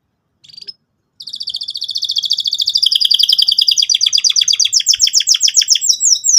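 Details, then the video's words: Canary singing energetically in the cuit cuit style as a lure for young canaries: after a brief opening note, a sustained rapid trill that gradually speeds into rolling, rattling pulses for several seconds. "pancingan burung kenari gacor cuit cuit emosi, kesukaan kenari muda belajar bunyi"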